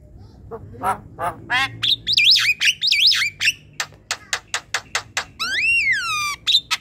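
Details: Javan myna from a group cage, sung to coax silent birds into singing: a busy medley of harsh chatters, looping buzzy whistles and rapid clicks, ending in a long descending whistled slur.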